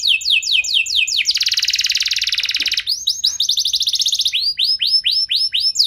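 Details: Canary trigger song: downward whistled sweeps lead into a harsh, rapidly pulsed buzzing trill, then quicker rolling sweeps and slower, well-spaced curved whistles repeated about twice a second.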